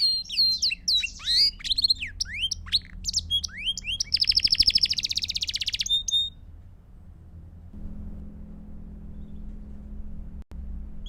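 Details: Belgian canary song for training chicks: about six seconds of lively sweeping whistles and a fast buzzing roll, then the bird falls silent, leaving a low hum and a single click.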